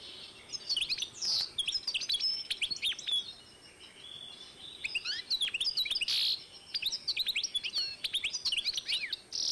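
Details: Canary and European goldfinch hybrid, 2012, in sustained lively song: rapid tumbling chirps and rising slurs with occasional buzzy notes, two main passages with a brief lull between.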